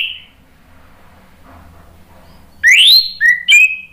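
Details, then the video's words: Bright song phrases of an orange-headed thrush, played to provoke birds into singing, begin after near silence with a sweeping upward whistle, followed by two short lower notes and a clipped high phrase. "SUARA ANIS MERAH bikin ikutan NYAUT NGEPLONG GACOR ¦ PANCINGAN AM"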